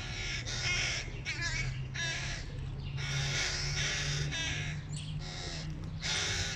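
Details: Hooded crow nestlings clamouring for food as the father approaches: a rapid series of hoarse, grating caws in overlapping bursts of about half a second, over constant low background hum.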